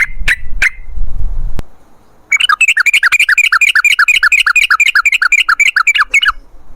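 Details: Long rapid song of a sooty-headed bulbul, in the local style called ropel panjang, used as a lure to make wild birds respond. Two short chirps and a low rumble come first. Then a fast, even run of repeated falling notes lasts about four seconds.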